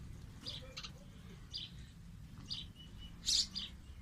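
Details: Two sparrows sitting on green branches of a tree give scattered short, high chirps, single and paired, with one louder chirp near the end, over steady low background noise.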